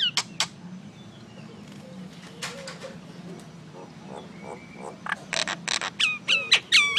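A common myna gives a varied run of harsh clicks, chatters and short whistled notes, busier and louder toward the end, over a low background hum.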